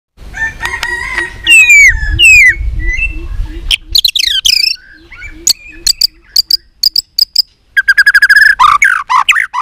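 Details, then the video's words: White-rumped shama, a bird trained for singing contests, singing many voices: rich whistles and rapid sweeping phrases, then clipped sharp notes and a fast buzzy trill, with faint regular ticking and low rumble underneath. "chòe lửa hót đấu .luyện chòe lửa căng lửa hót nhiều giọng .chòe lửa đánh đuôi thúc bổi | murai batu"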